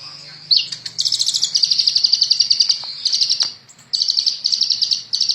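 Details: Very actively singing 'ninja' sunbird, recorded as a tutor for songbirds, delivering long rapid trills of shrill, evenly pulsed ticking notes in bursts, with a short break before the trill resumes.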